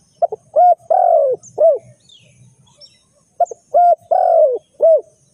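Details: Spotted dove call, used as a lure for bird trapping: loud, hollow cooing phrases of four notes, a short lead note, a rising coo, a long falling croo and a final coo. The phrase is given twice with a pause between.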